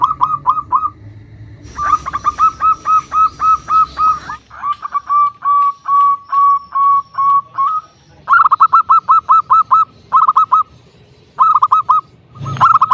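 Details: Local zebra dove with a big, loud voice, used as a lure to call rivals and rile them up. Bursts of quick, clear hooting notes run in dense rows, broken by short pauses and abrupt cuts.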